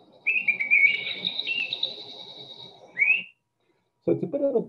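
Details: Mistle thrush (Turdus viscivorus) song: loud, strident, fluty whistled phrases at a fairly even pitch with little modulation, ending in a short rising note; a low murmur runs underneath, and a man's voice follows.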